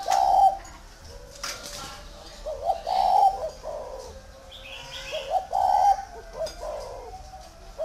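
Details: Spotted dove from a dove-keeping garden in Vân Hòa commune, Ba Vì district, northern Vietnam: soft mid-pitched cooing phrases, each a short stuttered lead-in then a longer steady coo, repeated roughly every two to three seconds, with faint higher chirps behind.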